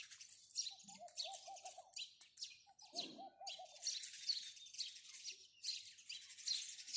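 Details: Dense house sparrow chirping, sharp high notes packed closely and growing busier toward the end, with two brief dove coo phrases near the start.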